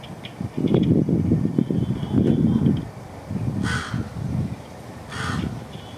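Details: Crow in August 2021 giving low, throaty clicking and rattling sounds in rough bursts, with two short harsher calls later, over steady outdoor background noise.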